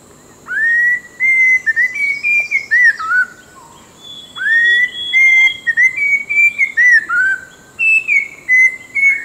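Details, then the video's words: Orange-breasted laughingthrush, a southern Vietnam Langbian Plateau endemic of forest edge and thick scrub: two bursts of rich whistled phrases, rising then sliding, notes slurring together with a brief pause between. "Orange breasted Laughingthrush"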